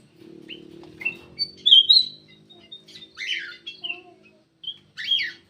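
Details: Black-crested bulbul lure call: short, bright chirps and slurred whistled notes come in irregular bursts, some buzzy and falling. A low droning hum underlies the first second.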